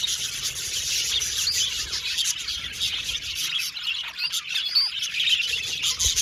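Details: Chirping budgerigars in an aviary colony, described as happy: steady high-pitched twittering and warbling from many birds, with a few clearer whistled notes near the end.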